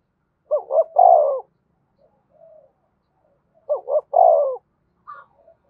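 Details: Spotted dove calling in the Đồng Nai manner to lure wild doves; two identical low coo phrases about three seconds apart, each a double short note then a drawn rolling note, with soft faint notes between.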